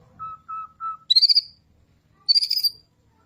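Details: White-rumped shama, a bird kept to sing vigorously and used to prompt other birds to sing: three level whistled notes, then two bursts of high, buzzy, rattling trills.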